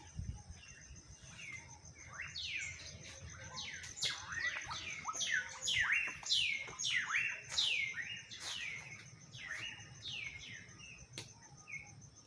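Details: Audubon's oriole giving a rapid series of loud, slurred notes that sweep downward from high to mid pitch, about one and a half per second, over a faint low background hum.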